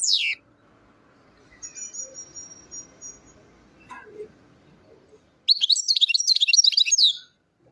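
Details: European goldfinch in Chouala, Relizane province, Algeria: a brief descending note opens, followed by a long thin whistle-like tone and scattered faint sounds, then a lively burst of high twittering song closes the stretch.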